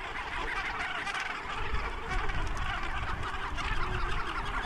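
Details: Cape gannets in a huge colony on a tiny island off the South African coast, morning after fog, wind rising: dense continuous din of harsh honking calls over heavy low wind rumble as excited birds flap, leap and sky-point.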